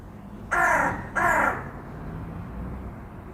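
A magpie gives two harsh, rasping calls in quick succession, each about half a second long, over a low hum of city traffic.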